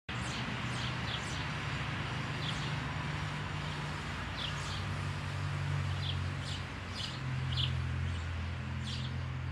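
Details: Eurasian tree sparrow at a spacious nest hole, recorded 12 May; short high chirps repeated irregularly through the clip over a steady low engine-like rumble of traffic.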